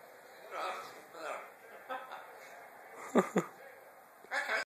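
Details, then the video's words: Pet blue-and-yellow macaw talking with its owner ("hello", "good girl", "give me kiss") in short, throaty, word-like bursts, with two loud harsh syllables near the end, over a faint steady high whine. "Blue and gold macaw talking"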